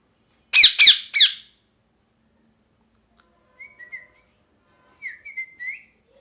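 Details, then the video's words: Parrot with three loud, grating squawks in quick succession, followed by soft whistled chirps in two short groups, each note dipping and rising, in an otherwise silent setting. "Parrot Chirping Sounds | Natural Parrot Sounds | Parrot Calling Sounds"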